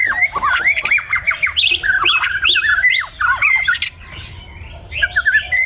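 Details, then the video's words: Morning song of a white-rumped shama, a dense, rapid string of varied whistled notes, looping up and down, with rich warbled phrases filling nearly every second before a short pause and a final flurry. "Enjoy the sound of the white-rumped shama singing in the morning"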